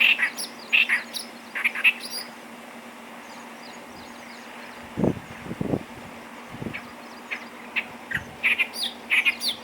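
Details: Clamorous reed warbler recorded at Bhigwan, December 2023. Clusters of loud, chattering notes open and close the recording. A quieter middle stretch holds low thumps and rumbling noise, and a constant low hum runs throughout.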